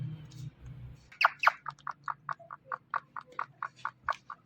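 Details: Indian ringneck parrot, kept as a pet, giving a steady run of short chirps, about four per second, after a second of low hum; the notes are clipped and evenly spaced.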